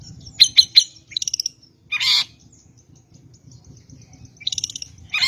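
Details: Long-tailed shrike lure song: three sharp high chips, a quick stuttering series, a loud harsh rasp, then faint high ticking and more scratchy chatter at the end.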